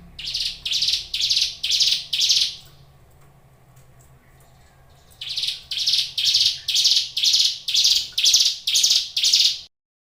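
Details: Hill prinia (ciblek gunung), a cage bird, repeating coarse buzzing notes about twice a second: five notes, a pause of several seconds, then a longer run of eight more.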